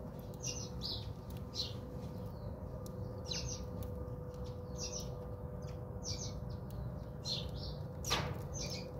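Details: House sparrows bathing at a South African home: short repeated chirps in small groups, a sharp splash-like burst near the end, and a persistent low hum.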